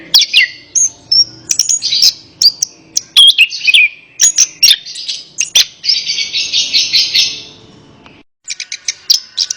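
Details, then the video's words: Song of an Orange-headed thrush, meant to coax a silent bird into answering: busy whistled phrases and chips, then a long buzzy, scratchy passage before a short silence and a final burst of ticking notes. "Terapi Burung Anis Kembang | Atasi Burung Anis Kembang Malas Bunyi Ikut Nyaut"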